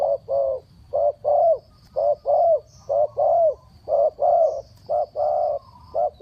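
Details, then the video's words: Spotted dove in the 'three kuk hoi' calling style, kept as a decoy for wild birds, repeating mellow low coos about once a second in short-long pairs, steady and unhurried over quiet background. "เสียงนกเขาใหญ่ 3กุกห้อย เรียกลงกุก2กุก"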